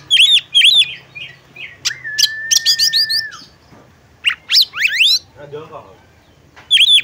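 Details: Female oriental magpie-robin calling to stir a male to sing. Paired arched whistles lead into a long level whistle and clusters of sharp chips, then quick rising slurred sweeps and a closing arched note.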